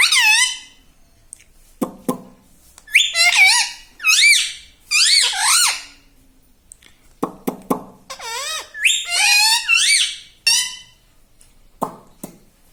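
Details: Indoor pet parrot talking non-stop, saying words such as "Mummy", "Papa", "Mitthu Mitthu": many high, nasal, harmonic syllables with curving pitch, interspersed with sharp clicks and taps, in a small room.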